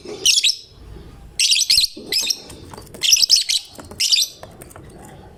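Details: Caged lovebird singing to provoke other lovebirds into song; dense scratchy high-pitched chatter in bursts of roughly a second with brief pauses, low background hum throughout.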